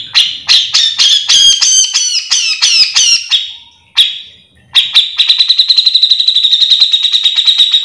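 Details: Grey-cheeked bulbul (cucak jenggot) in full song for training or luring others of its kind: squeaky warbled chattering, a single sharp note after a pause, then a long rapid buzzing rattle.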